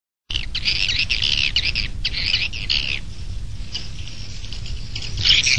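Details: Swiftlets calling at a bird nest, an external sound: a steady run of bright, buzzy chirps, high and close together, with a low rumbling hum under them throughout and a louder burst of chirps near the end.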